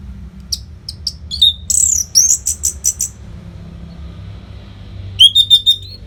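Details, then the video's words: Orange-headed thrush (anis merah) singing nonstop as a tutor song for training competition birds: a few sharp high chips, a quick run of bright piercing notes, a pause, then a fast twittering burst over low hum. "SUARA MASTERAN ANIS MERAH GACOR RAPET NO JEDA INI UNTUK MELATIH FIGTHER BURUNG AGAR SELALU FIT"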